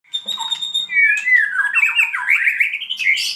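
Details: White-rumped shama singing a lure song (pancingan) to spur other birds: rich, fast run of whistled and chattering notes, slurred phrases sliding downward then climbing higher toward the end, delivered without pause.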